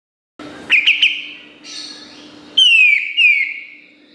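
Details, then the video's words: Kapas tembak bulbul singing for a training master: three quick sharp shots, a softer note, then two long, clear whistles gliding downward. "Masteran Kapas Tembak Gacor Nembak Isian Tajam Full"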